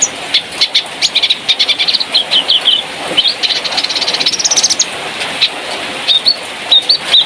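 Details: Sooty-headed bulbul, a spotted 'trotol' bird from Malalak in West Sumatra, played as song material for training other birds; rapid runs of short high chirps and quick whistled notes, briefly tumbling, over steady background hiss.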